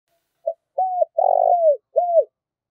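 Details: Decoy spotted dove calling to lure and provoke rival doves. A short coo phrase: one brief note, then a longer falling note, a drawn-out purring coo, and a final arched note. Clean, with no other sounds.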